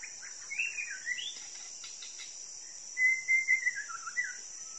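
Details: Wild long-tailed white-rumped shama living by a roadside in Indonesia, early morning, answering a call to draw it in. It gives clear, liquid whistled phrases, some rising and some falling, in short bursts, over steady high insect buzzing.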